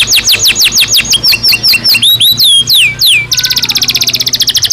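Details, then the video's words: Belgian canary song, loud downward-sweeping whistles repeated at a measured pace, slowing into longer swoops, then a sudden switch to a very fast, dense high trill. "Canario Belga Cantando Naturalmente"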